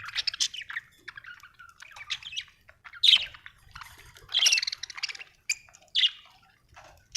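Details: Happy budgie singing, a busy run of short high chirps, squeaky twitters and scratchy warbled notes following one another with brief gaps, a few louder harsh squawk-like syllables standing out; faint low rumble behind.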